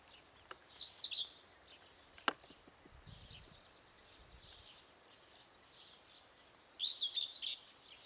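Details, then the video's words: Young guineafowl giving shrill high peeps in rapid clustered bursts, one early flurry and a louder one near the end, quieter chirps between, a sharp click and a brief low rumble in the middle. "Młode Perlice"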